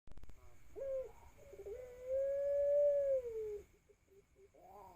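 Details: Young ringneck dove, 4–5 months old, learning to coo. Early coos run longer as the voice is not yet stable: one long, low, steady coo of about two seconds dipping at the end, rough notes around, faint electrical hum.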